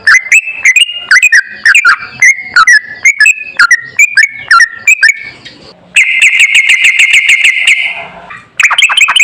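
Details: Sooty-headed bulbul song on a master track used to make other bulbuls sing: choppy repeated fluting notes for five seconds, then a long, steady buzzing trill, then the bubbly notes resume.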